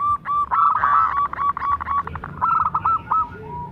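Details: Local zebra dove singing steadily as a lure for other doves: a dense string of short cooing notes, some slurred upward, delivered about four a second and ending in a lower, softer note.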